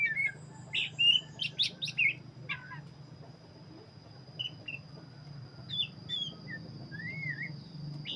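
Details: Oriental magpie-robin of the black-breasted form in active song: a dense run of loud bright chirps and whistles early, then sparser slurred whistled notes, with a constant thin whine and low rumble behind.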